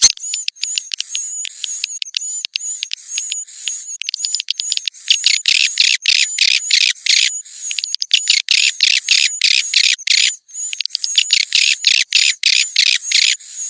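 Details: Swiftlet calls for Indonesian swiftlet farmers: a thin, high steady whistle-like tone beneath loud, harsh buzzy chirps and clicking, the chatter swelling and easing in irregular waves.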